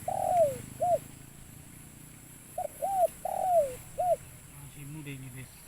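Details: Medium-voiced local spotted dove lured and caught at Libaas, giving scattered short coos, some sliding downward, separated by a long gap, with a low hum and faint murmuring at the end.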